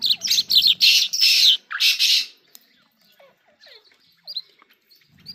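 Irani jal singing: a run of loud, harsh, high-pitched bursts of rapid chatter for two seconds, then scattered soft chirps and short whistled notes.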